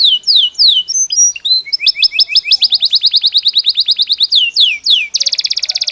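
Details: Belgian canary singing naturally: loud high-pitched song of repeated descending whistles, then rapid trills of short notes, ending in a fast buzzy rolled phrase.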